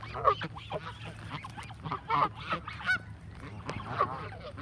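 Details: Close, clear honks from Canada geese in a flock during feeding, loud separate nasal calls roughly every second with quieter honks between them.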